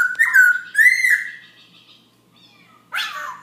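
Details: Black-throated laughingthrush singing late at night around 11 pm, almost without pause: a long, smooth whistled phrase, wavering slightly and then held steady, followed by a short harsh burst after a quiet gap.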